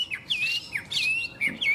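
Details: Hwamei with a melodious, lilting voice giving clear whistled notes that slide down, repeated about every half second in short bursts.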